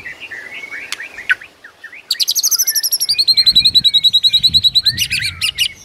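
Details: White-rumped shama song from a morning training recording to provoke rival birds: scattered whistles and clicks, then a long rapid series of high repeated chips, roughly five per second, ending in sharp clicking notes.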